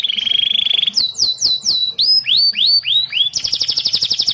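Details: Canary song recording used to teach young canaries and stimulate stalled singers: a low steady trill, several falling whistled sweeps, rising swoops, then a fast high rattling trill to the end.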